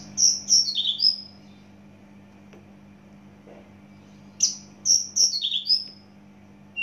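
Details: Javan bush lark from Java singing two matching phrases about four seconds apart, each a string of clear high whistles sliding downward into a lower buzzy note; low hum beneath.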